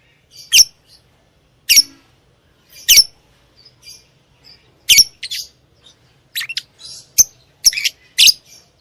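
A lovebird gives sharp, high, scratchy chirps in short bursts about once a second, some doubled, in a quiet room.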